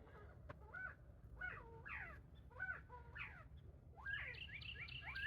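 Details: Several penned Northern Bobwhite quail chatter in short, slurred, rising-and-falling notes about every half second, overlapping toward the end, over a steady low rumble of wind.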